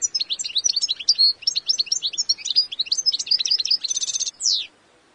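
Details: Continuous bright, tinkling goldfinch warble of rapid varied notes, closing with a short buzzy rattle and one downward-sweeping note.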